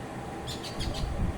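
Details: Jungle babblers in a house yard in Kerala, one giving four quick, harsh, scratchy notes in just over half a second, over a steady low rumble.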